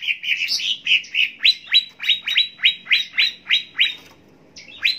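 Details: Cucak ijo, or greater green leafbird, on a song-training track: a warbled opening, then about ten crisp downward-swept whistled chips at a steady pace, a pause, and a fresh start.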